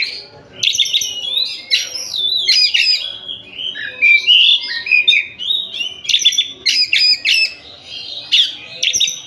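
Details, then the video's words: Oriental magpie-robin from Tasik singing as it pleases. Dense, energetic phrases mix sweet whistles with sharp clicking, rattling bursts, repeating in busy clusters every second or two. "Kacer Tasik Muni sak enak e atine"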